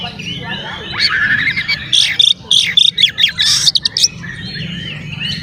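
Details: Oriental magpie-robin (kacer) singing prolifically, a lure to provoke other magpie-robins into agitation and tail-spreading: a two-second burst of sharp, clipped notes and scratchy chatter rising over quieter warbled phrases, with a low steady hum beneath.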